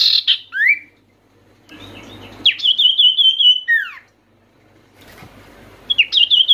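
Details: Common iora calling to stir lazy, silent birds into song: a loud rising whistle, then a high rippling trill sliding into a falling slur, starting again near the end, with quiet room noise between.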